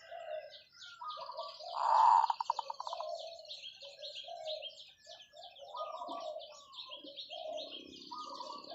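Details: Zebra dove long call: a loud, bubbling coo ending in a quick, stuttering string of pulsed notes, then continued twittering and whistles from other birds.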